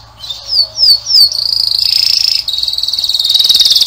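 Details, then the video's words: Canary song with three quick downward whistled slides followed by a sustained, rapidly pulsed high roll that shifts pitch slightly and continues to the end. "Пение канарейки . Певчий кенар."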